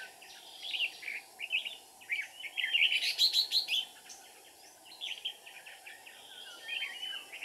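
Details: Red-whiskered bulbul singing in the lively 'ché' style during bird trapping with a decoy, recorded 13 May 2019: bursts of bright chirps and warbled notes around mid-high pitch, rapid irregular phrases rising to louder clusters, steady faint background hiss.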